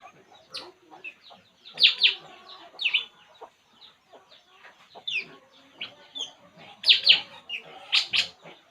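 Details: Puling bird calling while relaxing: bright, squeaky chirps in short clustered bursts, loudest around two, three and seven seconds, with softer clicks and ticks scattered between them.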